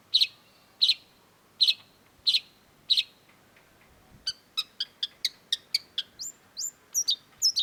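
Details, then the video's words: Cendet, or Long-tailed shrike, first giving harsh buzzy notes spaced about every 0.7 seconds, then switching to quick short chips and sharp rising squeaky whistles. "cendet gacor PALING BANYAK DI CARI !! CENDET MU IKUT GACOR || Long-tailed Shrike"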